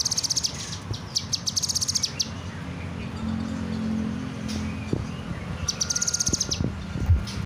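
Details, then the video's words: Kinoy bird singing energetically: bursts of very rapid, high, sharp repeated notes delivered as fast trills lasting about a second each, separated by pauses, over a steady background hum. "burung kinoy gacor"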